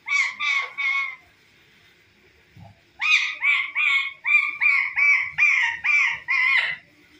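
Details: Parrot mimicking a cat's meow and a dog's barking, uttering a burst of three raspy yelping notes, a quiet gap with a faint thud, then a steady series of about ten loud, harsh, evenly spaced yaps.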